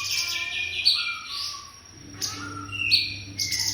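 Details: White-rumped shama singing in the cungkok style, a tutoring recording: high clear whistles and sliding notes alternating with bursts of harsh buzzy chatter, over a steady low hum.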